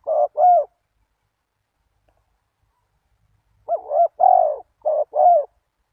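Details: Spotted dove calling to draw in wild doves: two quick coos, about three seconds of silence, then a burst of four more low, hoarse coos, the second a long steady note.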